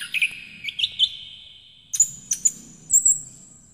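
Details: Orange-headed thrush (Geokichla citrina) lure song for young birds: a varied run of clear notes around three kilohertz, then a brief pause before higher, sharp whistled phrases.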